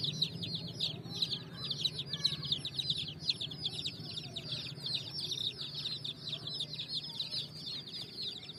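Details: Quieter chorus of baby chicks on raw bricks, thin high peeps repeating rapidly and overlapping, set against a noticeable low background hum.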